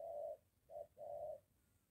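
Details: Spotted dove near a home, with a molting decoy and a wild bird: three low hollow coos, long, short, then long, in a quiet setting.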